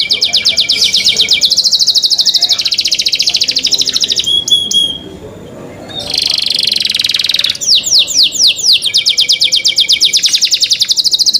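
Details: Canary singing in the cenkok style, a long run of rapid, even trills at a high pitch that break briefly into a few sharp whistles and a buzzy passage before the fast rolling trills return.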